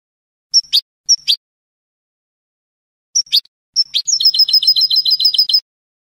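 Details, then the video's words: Salon-style song (canto de salón) of a European goldfinch on a Spanish tutor recording: paired sharp high chirps, a pause, then a fast even trill of repeated twittering notes lasting about one and a half seconds; no other sounds. "CANTO DE SALON JILGUERO "ROCKY" شريط لغة الحسون الإسباني"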